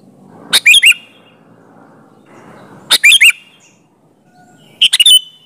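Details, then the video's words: Sooty-headed bulbul singing as a lure to prompt other bulbuls to respond: three well-spaced phrases of quick, bubbly whistled notes, each slurring up and down, over soft background hiss. "suara burung kutilang gacor ampuh buat suara pancingan kutilang agar nyaut"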